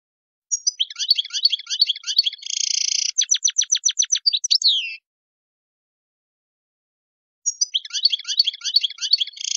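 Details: A European goldfinch gives the wild song known as 'shoun khalawi': dense tinkling twitter, a harsh buzz, crisp rapid ticking notes and a falling slur. After a long silence the twittering phrase returns.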